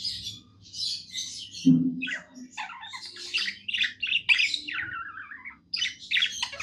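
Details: Happy pet budgerigar singing a chattering warble of scratchy notes and short whistled slides, one dropping downward, with a brief low thump near the start and soft hum beneath.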